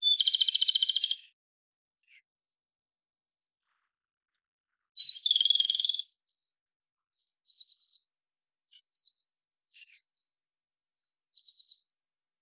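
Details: Japanese robin (Erithacus akahige) sings two loud rattling trills several seconds apart. A chorus of thin, high twittering from other birds follows the second trill.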